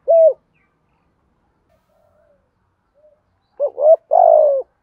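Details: Lure cooing of a spotted dove for attracting and training wild birds, both sexes stated. One lone coo, a long pause, then a rising double note and a long wavering falling coo.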